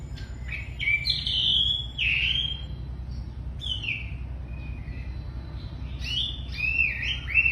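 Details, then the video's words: An actively singing, very tame wambi: bursts of sharp whistled and chirping notes, with slurred downward notes between short pauses, then a busier, twittering run near the end; a steady low hum underneath. "Wambi Gacor Super Jinak"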